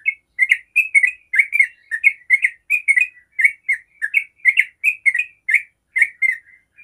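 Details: A yellow-vented bulbul gives a long, fast run of bubbly, chirping notes, about three per second, with no other sounds. It is a long rapid song meant as a lure recording to prompt other bulbuls to answer and sing.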